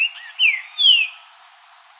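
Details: Green-winged saltator in nature delivering its song: short warbled notes, then two strong drawn-out whistles sliding downward, followed by a piercing high chip, with a quiet outdoor background.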